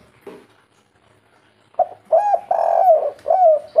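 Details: Spotted dove, called derkuku or tekukur locally, of the local natural "kuk 3" three-note style. After a quiet start it gives a run of mellow, low, hollow coos, some drawn out and wavering, in a close, dry setting.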